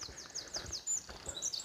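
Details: On a walk near rushing water in Doddiscombsleigh in the Haldon Hills, Devon, a Common Chiffchaff sings a quick run of high, downslurred notes, with a few other thin bird calls and light outdoor noise behind.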